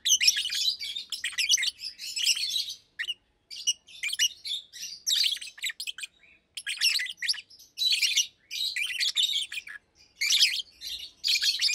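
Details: Two almost two-year-old Fischer's lovebirds, blue and pastel green, singing in a cage during the day: a long run of high, raspy chirp clusters, dense at first, then in choppy bursts with brief gaps.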